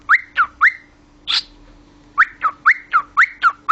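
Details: Pet talking cockatiel giving short whistled chirps that alternately rise and fall, about four a second, with one harsher noisy note and a pause between the groups.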